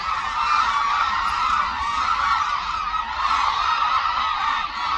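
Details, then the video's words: Hooded cranes flocking into Suncheon Bay Wetland, putting on an aerial show; a steady, crowded chorus of loud bugling calls with no break, many birds calling over one another. "흑두루미 울음소리"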